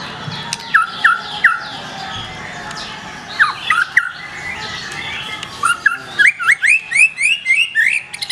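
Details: Black-tailed white-rumped shama singing strong, emphatic phrases: short clear whistles near the start and middle, then a fast run of rising, slurred whistled notes repeated about twice a second toward the end.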